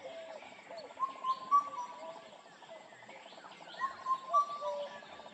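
Indian cuckoo giving its mellow four-note whistled phrase, repeated about every three seconds, over a busy chorus of other birds twittering.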